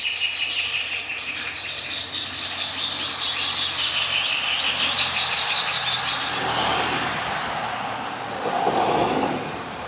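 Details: Gray-breasted parakeets (Pyrrhura griseipectus) while mating. They keep up a continuous busy chatter of short, high, chirping notes for several seconds before it thins out. A low background rumble runs throughout.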